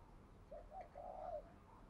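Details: Spotted dove kept as a decoy bird, cooing to provoke other doves: three soft low coos, a short note, a second short note, then a longer drawn-out phrase. A quiet, steady background hum runs underneath.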